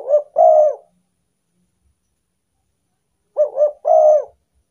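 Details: Spotted dove lure call to attract wild doves: a phrase ending at the start, then a full phrase of two quick low coos and a longer wavering coo after a three-second pause.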